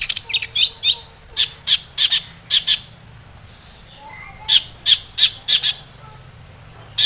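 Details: Long-tailed shrike singing lustily, played to agitate other shrikes into song; bursts of sharp high chattering notes in groups, a quiet stretch with faint lower whistles, then more loud clipped notes.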